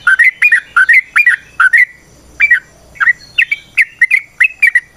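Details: Trucukan (Sooty-headed bulbul) ropel panjang song recorded for luring: quick clusters of rich, rolling whistled notes, a short gap near two seconds, then the bursts resume more rapidly.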